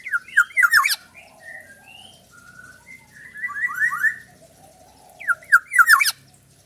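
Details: Black-naped oriole, described as unique and very fierce, giving bursts of short, fluty, downslurred whistles at the start and end with a softer run of slurred notes between, broken by two harsh rasping squawks over a faint low hum.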